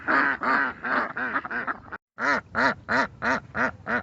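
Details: Ducks seen naturally, a steady sequence of nasal quacks about three per second, a brief break, then six more evenly spaced loud quacks.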